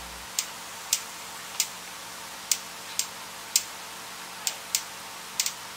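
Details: Sharp mechanical ticks repeat at irregular intervals of about half a second to one second over a quiet indoor background, with no animal sounds.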